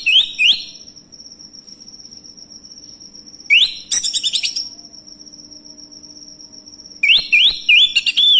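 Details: Male orange-headed thrush singing, played to trigger other birds into song: bursts of bright rising whistles and rapid chattering notes separated by pauses, over a continuous thin high-pitched tone.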